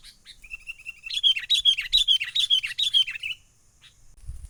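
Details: Sooty-headed bulbul, recorded wild and used to lure birds for trapping, gives a thin level trill that breaks into a rapid string of about a dozen loud, bright, slurred chirps before fading.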